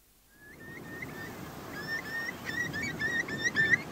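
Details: Eurasian curlew flight calls on Skomer Island, Wales, with gulls and curlews in the distance: a fast run of clear, rising whistled notes, three or four a second, growing louder and more urgent, over a low rushing background.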